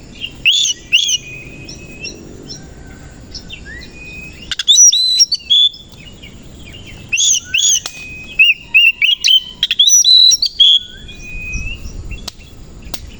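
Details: Kacer koci Oriental magpie-robin singing in the morning while fluffing and opening its tail; high whistled and chattering phrases with rising slurs and sharp notes in two bursts, separated by quieter gaps with soft background hiss.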